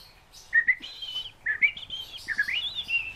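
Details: Pet fieldfare kept at home giving a series of chirping calls, rising slurred notes near mid-high pitch, one after another about once a second, with a man speaking softly just before.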